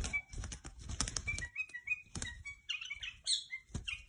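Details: Tame pet white-eared bulbul indoors giving short clear whistles that build into a fuller, busier warbling phrase, over a background of rustling and tapping.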